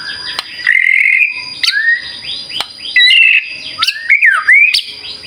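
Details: White-rumped shama singing a lure song. Sustained clear whistles and swooping slurred notes alternate with brief pauses, and sharp click-like notes are scattered between the phrases.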